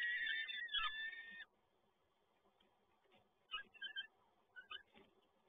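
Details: Peregrine falcon in Toruń, male bringing yet another prey delivery, 7 May 2022: one loud, drawn-out harsh call lasting over a second, then a hush broken by a few fainter clipped notes.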